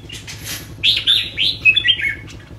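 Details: Kept red-whiskered bulbul pouring out a fast run of rich, bubbly whistled notes rising and falling in quick succession after a short wing flutter at the start.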